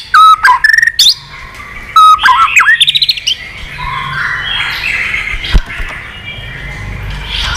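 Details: Old wild-caught white-rumped shama in heated contest form, singing a many-voiced fighting song while wagging its tail continuously: loud clear whistled phrases with quick rising notes and rapid clicks over about three seconds, then quieter background noise.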